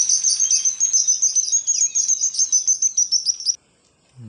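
Sparrow chirping in a fast, continuous run of high, bright notes, about three or four per second, stopping abruptly after three and a half seconds.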